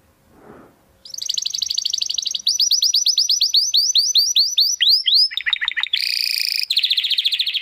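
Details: Canary song for training contest birds: after a brief low noise, a fast high trill gives way to sweeping repeated whistles, rapid descending notes and dense buzzy rolls.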